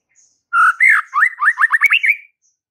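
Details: White-rumped shama singing vigorously to stir up fighter males: a single rich phrase of about ten quick, looping whistled notes that rise steadily toward the end.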